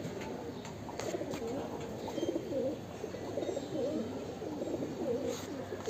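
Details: Fancy pigeons, a breeding pair in Mumbai, cooing: low, throaty, rolling coos repeated over and over, several birds overlapping, with faint background noise.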